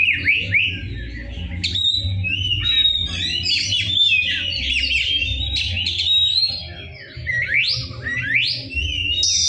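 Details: Oriental magpie-robin singing energetically in a harsh, rough voice: a continuous run of sharp upslurred whistles, buzzy trills and scratchy notes, pausing briefly near the end, over a low background drone.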